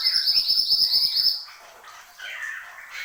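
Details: Horsfield's babbler singing: a brisk series of sharp, high, evenly spaced notes over a lower whistle for about 1.3 seconds, then quieter slurred whistles.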